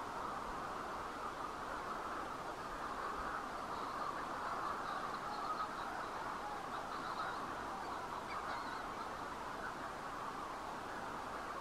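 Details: Manx shearwaters near the bird and field observatory on Bardsey Island; a dense, unbroken chorus of raucous, overlapping calls fills the whole recording, with faint higher scratchy notes drifting in and out, with no clear gaps between callers.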